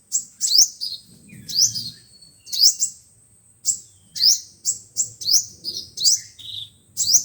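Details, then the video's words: Lure playback of five-colour and seven-colour sunbird song for trapping: rapid, very high twittering and sharp rising chirps about once a second, over a light low-pitched background hum. "Tiếng chim hút mật 5 màu và 7 màu"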